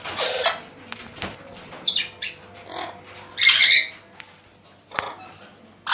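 Sun conures give harsh, raspy squawks in short bursts, scattered unevenly through the moment.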